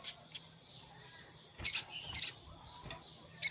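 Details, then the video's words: Sogon calling a rival, used as a lure for wild birds: sharp, very high chirps in short bursts, separated by quiet gaps of about a second, with a faint low hum underneath. "Suara pikat sogon paling ampuh_ sogon manggil lawan untuk pikat"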